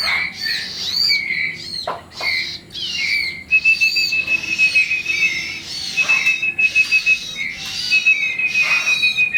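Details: Olive-backed sunbird chicks begging while being fed: loud, shrill high chirps and squeaky notes in rapid bursts, with a sustained thin whistled tone running through the second half.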